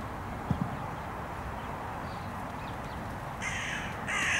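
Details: A carrion crow in a park, where crows are being fed nuts, gives two harsh, grating caws close together near the end, over a steady outdoor hiss, with a couple of soft thumps early on.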